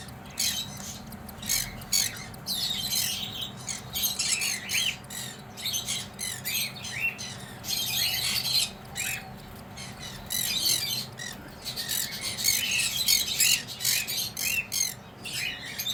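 Cockatiel chicks give harsh, hissing rasps in quick repeated bursts during feeding.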